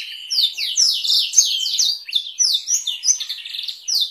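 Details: A canary sings a long training recording with blackthroat-style rolls: a fast, unbroken run of bright twitters, rolling trills and sweeping high notes, with quick changes of phrase and no other sounds.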